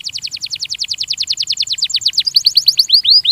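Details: Belgian canary song used as a training recording: fast even trills of rising-falling notes, then a shift to clearer upswept whistles repeated rapidly, loud and clean.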